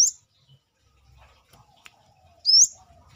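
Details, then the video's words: Brown-throated sunbird, or Kolibri kelapa, uncaged and lively: one high rising squeaky note at the start and another near the end, quiet clicks and light tapping in between. "KORLAP (Kolibri kelapa)Manggar gacor luar sangkar"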